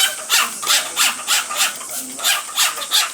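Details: Indoor male cockatiel calling during the female's spray bath; raspy, noisy bursts repeat regularly, around three per second, with a faint low murmur underneath.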